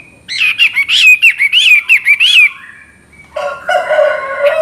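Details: Chinese hwamei, locally called wambi, in lively chattering song: a run of loud, clear whistled notes bending up and down, several per second, then a pause and a harsher, buzzy rasping phrase.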